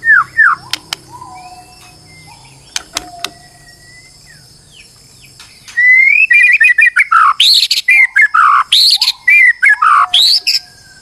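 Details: Stressed white-rumped shama singing as a lure to push another shama into full song: after scattered clear whistles and sharp clicks over faint hum, a rapid burst of varied rising and falling whistled phrases and high chirps fills the last five seconds.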